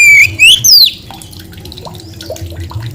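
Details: White-rumped shama giving two loud rising whistles and a falling slur in the first second, then quieter scattered chirps and low background murmur.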